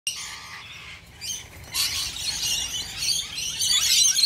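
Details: Australian Rainbow Lorikeets crowd a bowl of warm nectar mix with honey in a feeding frenzy; quieter chirps open, then from about two seconds a dense, harsh chorus of high screeches and squawks builds and continues.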